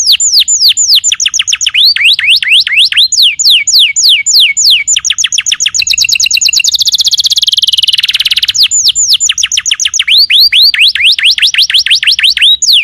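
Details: Canary song used as a master recording to train other birds: rapid runs of high, steeply falling whistled notes, shifting midway into a fast, dense buzzing trill before returning to quick descending sweeps.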